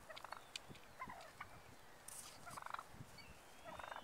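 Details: A tame wild turkey male that turned up at a farm in November, recorded 27 November 2010, gives a few quick, rattling gobble-like bursts at mid pitch, with faint clicks and rustling behind.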